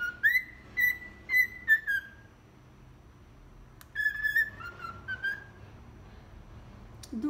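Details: Tame cockatiel singing a tune, 'Atirei o pau no gato', not very in tune, only when it feels like it. A quick phrase of clear whistles is followed by a quiet gap, then a second shorter whistled phrase.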